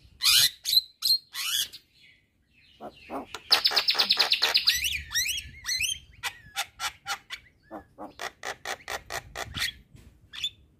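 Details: Asian pied starling in loud song aimed at neighbouring starlings: harsh shrieks, then a long buzzing rattle, followed by a steady series of short clicking and chattering notes.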